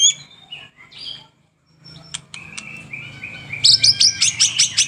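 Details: White-rumped shama (murai batu) in lively gacor song, a lure recording for morning and afternoon: scattered high chirps and whistles over a low hum, ending in a fast run of sharp, repeated high notes.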